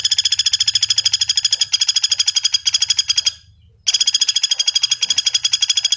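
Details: Near-continuous trill of sharp, high, evenly spaced notes from a common flameback, broken by a single half-second pause midway.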